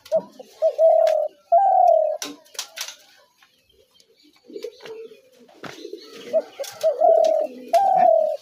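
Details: Spotted dove calling, a recording used to lure doves into traps: short rising coos followed by long level cooing notes, repeated in two phrases with a quiet gap between, plus faint clicks and knocks.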